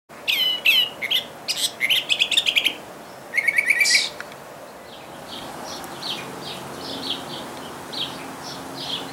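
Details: Northern mockingbird singing in a backyard: loud, varied bursts of rapid chirps and trills for about four seconds, each phrase repeated a few times, then quieter, evenly spaced high notes in the background.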